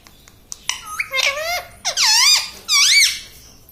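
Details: Pet parrot talking indoors: faint clicks, then three loud voiced phrases with sweeping, curved pitch, the last rising and falling sharply.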